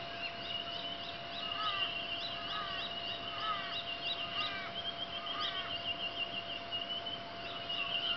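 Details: A raven cries at dawn on Sydney's Northern Beaches: a run of drawn-out, falling, wailing notes, roughly one a second, over a steady high buzz of insects and a faint constant hum.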